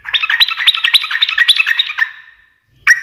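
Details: Yellow-vented bulbul giving a dense two-second burst of fast, scratchy, bubbling notes that fade away, followed after a short silence by a sudden loud note.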